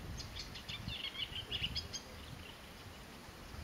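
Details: At Faneromeni on 6 May 2015, an eastern olivaceous warbler (Iduna pallida elaeica) gives a brief, quiet burst of scratchy, chattering notes lasting about a second, over a low rumble of background noise.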